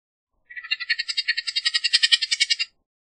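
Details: Bullock's oriole giving a dry rapid rattle of harsh notes, about two seconds long, evenly pulsed and slightly rising in intensity, with nothing else audible.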